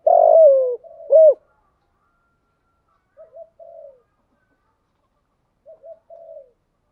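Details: A spotted dove kept as a decoy to draw in wild doves opens with a loud, long buzzy coo and a sharp rounded coo, followed by two quiet, low, falling cooing phrases.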